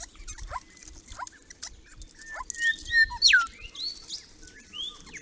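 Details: Grey-crowned babblers from a small group visiting a pond built on their property, monitored since 2014. Squeaky chatter and clear whistled notes, with a loud sweep falling steeply near the middle and short upslurred whistles around it.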